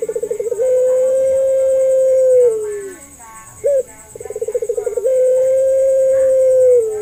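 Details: Puter pelung dove call used as a lure for doves that rarely call or are still learning. A throbbing pulsed roll runs into a drawn-out low coo that falls away at the end. After a short note, the sequence repeats.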